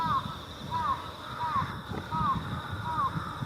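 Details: Jungle and Carrion Crows gathered on countryside power lines at dusk, early October in Japan, before heading to a communal roost. Five clear, slightly descending caws about every 0.7 seconds, over low rumbling background noise and a steady high hum.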